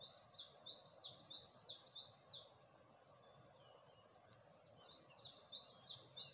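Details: Wild bird singing at early dawn in Gulmit, Hunza, facing the Passu cones: quick runs of sharp, high, downslurred chirps, seven in a row, a pause, then four more. Faint steady background hiss.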